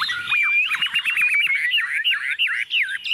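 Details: A captive Chinese hwamei placed on a table sings confidently: a loud, rapid, continuous stream of rich slurred whistles and warbled phrases, mostly high-pitched, with no other sounds.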